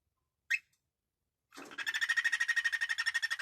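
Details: Happy pet cockatiel singing: a brief high chirp, a pause, then a fast pulsing warble of buzzy, repeated notes about eight per second, rising in loudness, in a quiet indoor room.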